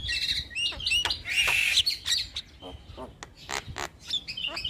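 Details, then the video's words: Starling song from a tutor recording played to young starlings that rarely sing: varied whistles and squeaky chirps, with a dense harsh buzzy burst around the middle and rapid sharp notes after. "Masteran Burung Jalak Muda / Jalak Malas Bunyi Rutin Putarkan Agar Jalak Jadi Gacor"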